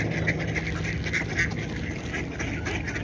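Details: Quick, irregular duck quacks, several per second, with a low continuous hum underneath.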